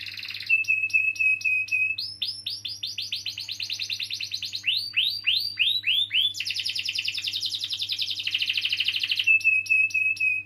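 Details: Canary song meant to spur young or silent canaries to sing, full of variety: clicks over a whistle, loud swept chirps in series, a fast rattling roll, and a closing thin whistled note.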